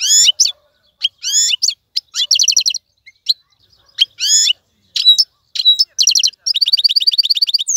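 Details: Wild-caught European goldfinch singing in a cage: bright, harmonic twittering phrases with sweeping chirps, then rapid buzzy trills of evenly repeated notes, broken by short pauses.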